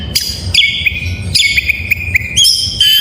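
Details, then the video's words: Oriental magpie-robin singing as a master track to prompt reluctant birds: loud sharp onsets leading into sustained whistles studded with quick flicked notes, then a brief high rising phrase, over faint low rumble. "Suara masteran burung Kacer || pancingan KACER full isian"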